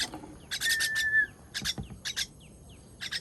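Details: Baby bird being fed on 18 June 2023, giving a few harsh raspy bursts of begging notes, with a thin sustained whistle and faint chirps in the background.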